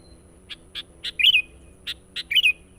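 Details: Lure recording of a sooty-headed bulbul: pairs and triplets of clipped chirps, each group ending in a short bubbling, slurred warble, repeated twice.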